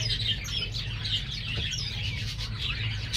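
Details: Star finch fledglings that just left the nest, pure-bred captive stock: repeated thin, downslurred high chips and tweets from several birds overlapping, with a faint low hum and a soft thud midway.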